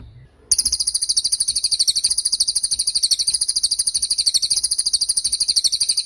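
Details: Cililin song used as a masteran training recording for songbirds, including moulting birds: a long, sharp, high buzzy trill of rapid, evenly pulsed notes that runs continuously after a short silent start.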